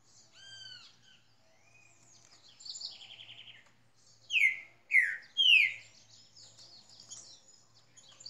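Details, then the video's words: Green-winged saltator singing soft warbled notes, then three loud, rich, down-slurred whistles about half a second apart, over a faint low hum. "Trinca ferro"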